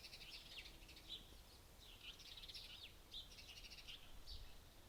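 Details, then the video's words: Birds sing during a white night on 14 June 2021 near Pechora in the Komi Republic. Distant high twittering and chirping phrases repeat every second or so over a steady hiss of background noise. "White Nights in June. Люди спят. Природа поёт. Sounds of Civilization. Birds singing."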